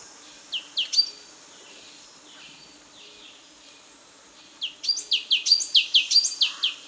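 Black-capped Donacobius giving loud, ringing whistled notes, a short burst of three and then a rapid series of about ten, over a faint low hum.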